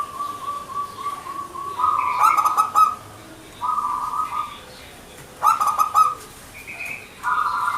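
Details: Local perkutut (zebra dove) singing manggung: a run of rapid soft coo pulses leads into loud, rolling phrases with crackling edges, repeated with pauses, plus brief higher notes.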